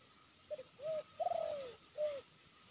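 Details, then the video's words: Spotted dove cooing during a trapping session near Sibolangit with two decoy birds set out: a short double note, a soft coo, a longer wavering coo, then a final rounded coo, over faint background hiss. "Tekukur ini Menguku Tanpa Henti"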